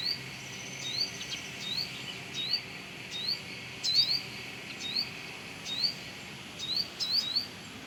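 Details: Olive-backed sunbird singing near its nest in the area around a house: short, high upslurred chirps repeated irregularly every half second to second, fairly faint against a steady high background hiss.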